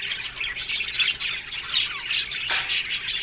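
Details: Australian budgies kept in an aviary colony, busy high chirping and buzzy chatter from many birds, with a few brighter whistled notes standing out.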